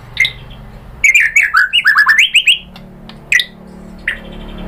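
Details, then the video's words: Murai batu song to provoke a rival: single sharp whistle, then a quick tumbling series of about a dozen sliding notes, followed by two isolated calls over faint hum. "Pancingan MURAI BATU bikin EMOSI NYAUT GACOR BONGKAR MATERI ISIAN"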